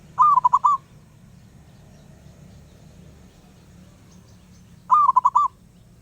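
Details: Wild zebra dove calling persistently: two bursts of rapid, bubbling cooing notes, each about half a second long and about five seconds apart, over a low steady background hum.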